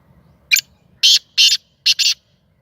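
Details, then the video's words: Captive Sindhi black francolin giving its first call, a tame, playful bird. Five harsh, grating, buzzy notes in about two seconds: a short note, two longer rasping notes, then a quick double, over a quiet background. "Kala Teetar ki awaz / Black francolin voice کالا تیتر کی آواز"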